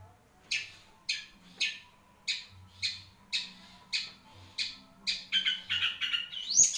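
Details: A long-tailed shrike repeats short, rasping notes about every half second, building into a denser, noisier flurry at the end.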